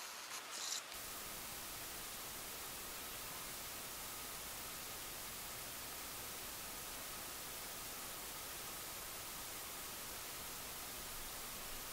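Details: Steady broadband hiss with a faint continuous hum and a brief click at the start; no animal calls or drumming are heard.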